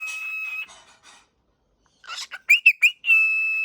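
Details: Pet cockatiel calling indoors on waking: a buzzy flat-pitched screech, then a pause, then harsh chatter, three quick rising chirps and a long steady harsh note.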